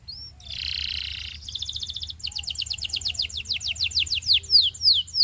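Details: Belgian canary singing as a teaching example for young canaries: a brief whistle, a harsh buzzy warble, a fast high rattle, then rhythmic descending sweeping notes repeated rapidly and speeding into a bright chatter.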